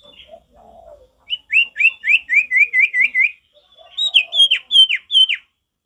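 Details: A male Golden-bellied Gerygone sings two quick phrases of thin, sweet whistled notes in a natural, wild-sounding style: first a run of about eight wavering notes, then a brighter falling series.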